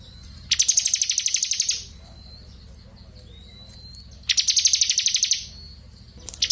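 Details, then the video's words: Crystal blue robin delivering its ngebren song for training magpie robins: two rapid, rattling high trills about three seconds apart, a thin rising whistle in the gap, and the start of another burst at the end. "CIBLEK KRISTAL GACOR NGEBREN COCOK UNTUK MASTERAN SUARA JERNIH"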